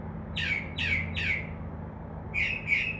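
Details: Northern mockingbird perched in a tree outside a window, imitating other sounds such as crow caws; three harsh, downward-sliding squawks in quick succession, a pause, then two more, over a faint low hum.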